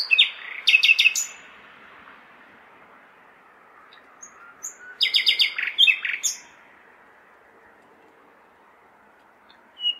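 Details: Common nightingale singing in a large city on a May night: short dense bursts of rattling, stuttered notes separated by quiet gaps of several seconds, with a steady low hum of civilisation behind.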